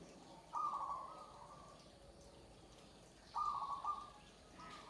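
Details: Perkutut (zebra dove) of the joglo type singing: two separate cooing phrases, each a bright opening note that slides into softer, level coos, with quiet pauses and faint background hiss between them.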